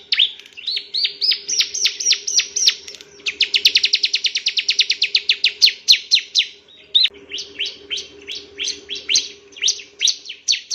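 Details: Bar-winged prinia, a male, singing for a master recording meant to teach other birds: rising chirps speed into a very rapid trill-like series, then slower sharp chirps, over a steady low hum.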